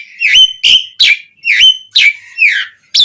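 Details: Asian pied starling singing to provoke other starlings to respond: loud, rough whistled notes repeated about twice a second, some sliding down, others kinked.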